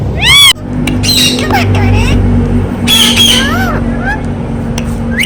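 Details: Talking ringneck parrot gives a loud sharp squawk, then slurred, speech-like rising and falling syllables, over constant low background hum.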